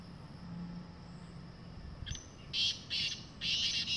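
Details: A wild black francolin calling in the jungle gives harsh, grating notes in a quick run of three or four rasping bursts after a quiet start, with a faint high steady whine behind.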